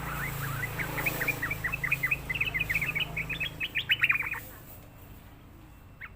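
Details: Sooty-headed bulbul song, used as a lure and training recording for young birds: a lively string of short, sharp chirps, roughly four per second, rising and falling slightly, lasting about four seconds, then quiet hiss.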